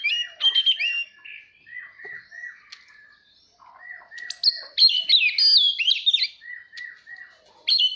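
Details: Oriental magpie-robin singing to train young birds and provoke song duels: a row of soft, repeated lower notes, then an intense run of high, ringing whistles and slurs.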